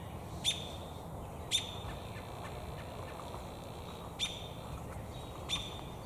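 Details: American robin perched in a tree with a beakful of damselflies, giving short sharp high chirps, four spaced a second or more apart, over a steady low background hiss.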